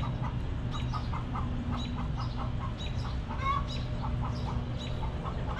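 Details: Backyard hens relaxing in their coop give short, soft clucks near one pitch, in quick clusters of two to four notes over a steady low hum.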